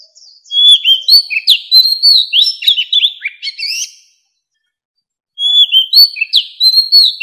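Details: Old forest oriental magpie-robin song meant to lure birds in; a long energetic phrase of bright whistles and quick falling slurs, a silent gap, then the same opening whistles again.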